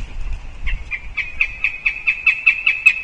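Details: Northern goshawk at a nest tree in Riga on 20 October, when the female also visited the tree. It gives a rapid series of about twelve sharp, nasal kek notes that grow louder and steady over three seconds. Faint low rumble sits beneath.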